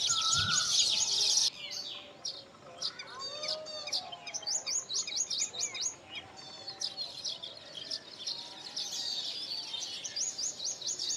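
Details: Nest-building baya weavers at a colony with several nests. After a brief louder opening, rapid high ticking chirps and buzzy chatter repeat unevenly throughout, over soft lower warbles.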